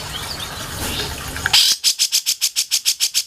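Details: Grey-cheeked bulbul, mastering recording for songbirds: after quiet background chirps, a sudden burst of fast, harsh, repeated notes, roughly six per second, continuing to the end.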